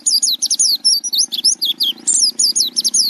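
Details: Oriental white-eye in a master recording for training songbirds, singing a rapid, unbroken stream of high, sweet chirps and twittering slurs, with a faint low hum underneath.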